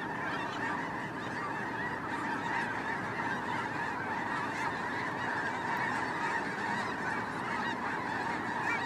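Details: Migrating snow geese in a vast flock, their voices merging into a continuous roaring wall of high, nasal honking that holds steady throughout, thick and layered with countless overlapping calls.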